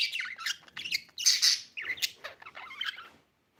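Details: Budgerigar chattering busily: rapid scratchy chirps and piercing high squeaks run together for about three seconds, then fade to silence.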